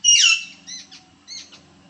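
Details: Kekati, the jungle babbler of Konkan, India, giving one loud, harsh, downward-sweeping squawk followed by two softer, shorter rasping notes, over a faint low buzz.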